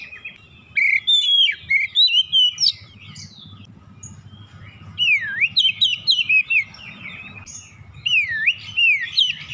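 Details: Lured back into song, an Oriental magpie-robin gives lively gacor singing: rapid clusters of high whistled notes, repeated V-shaped swoops near the end, over continuous low background noise.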